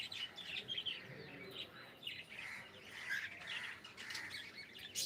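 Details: Pet cockatiel saying good morning, delivering a steady stream of soft warbling and chattering notes with small rising chirps, nearly continuous across the few seconds, over a light background hiss.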